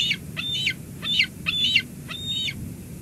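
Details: Bald eagles at a nest at Two Harbors on 17 July 2022, an adult delivering lunch to the eaglet: thin, high piping calls with short chattering notes, given in four bursts over three seconds.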